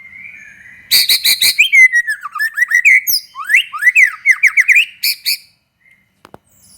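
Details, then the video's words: Energetic white-rumped shama song meant to set other shamas singing: three harsh rasping bursts, then a rapid tumbling sequence of varied whistles, sweeps and chattering notes, closing with two more harsh bursts and a few faint clicks. "SUARA BURUNG MURAI BATU GACOR"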